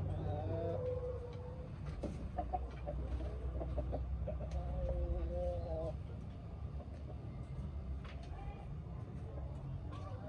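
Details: Hens exploring new coops make drawn-out, wavering clucking notes in the first half, fading into quieter occasional clucks, over a steady low hum.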